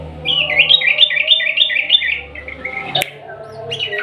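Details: Lure song of a champion sooty-headed bulbul in 'ropel panjang' style: a steady rapid string of rising and falling bubbly notes for two seconds, a sharp click, then the phrase starting again.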